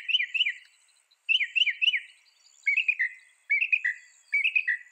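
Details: Song of a mockingbird: rapid clusters of clear warbled notes repeated in short bursts, then a change to a different falling phrase, each repeated two or three times.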